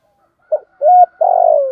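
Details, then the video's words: Cooing of a spotted dove kept as a decoy to draw in wild doves: a brief low note, a smooth steady coo, then a long burry, pulsing coo that gradually drops in pitch, with no other sounds around. "Tiếng chim cu gáy mồi dùng kích bổi và tập mồi"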